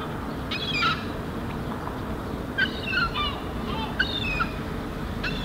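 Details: Herring gull fledgling in Helsinki, Finland, July 2016, calling loudly in reply to its parents vocalizing nearby while it walks, runs and flaps its wings on the ground. Three bursts of harsh, descending, layered calls over a constant low rumble.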